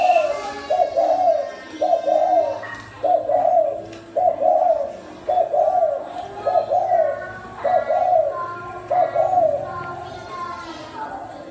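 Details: Spotted dove kept in a cage in Thai Nguyen, Vietnam, coos repeatedly in a small room. Low, rough, rolling phrases come about once a second, nine in steady rhythm, with no other clear sounds.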